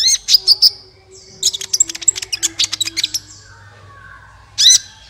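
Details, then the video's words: Sunbird song meant to coax other birds into singing: three quick high chirps, then a dense run of rapid, thin, twittering notes, and after a pause one loud, strident burst. "suara burung Kolibri ampuh untuk pancingan"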